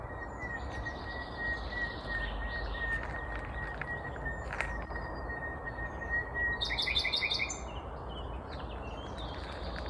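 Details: Vagrant Common Nightingale in Kvarnbo near Uppsala, Sweden, singing on a May 19, 2021 morning: a long, steady, thin whistled note held for several seconds, later a brief burst of loud rattling notes.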